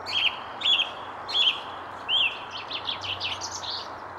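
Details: Song thrush in the Versailles Jardin du Roi, 19 February around 9:30, misty weather with sun breaking through, one of many thrushes present; four evenly spaced whistled notes, then a run of quick high twittering notes.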